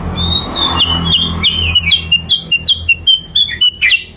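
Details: Sooty-headed bulbul lure song opening with a long level whistle, then a string of short falling whistled notes that gradually speed up and end in a louder burst.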